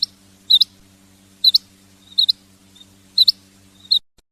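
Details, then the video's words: Female quail giving thin, high, paired chips in a regular series about every 0.8 seconds, five pairs in all, with a constant low hum underneath. "Female Batair Sound / چنگا مادی بٹیر کی آواز"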